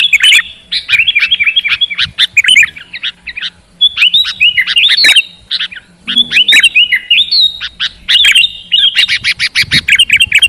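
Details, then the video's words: Chattering song of a sooty-headed bulbul meant to rouse a lazy bird into bold, steady singing: long runs of rapid bright chirps and slurred whistles with few breaks, growing denser and buzzier toward the end. "Terapi Burung Kutilang Malas Bunyi Jadi Gacor Bermental Petarung"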